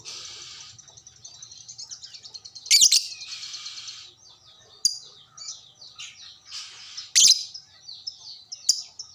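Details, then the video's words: Lovebird answering another lovebird after one lure: rippling, squeaky, high chatter at first, then scattered warbled notes and three loud, piercing squeals, with a faint click or two. "sekali pancing langsung nyaut burung LOVEBRID Lain"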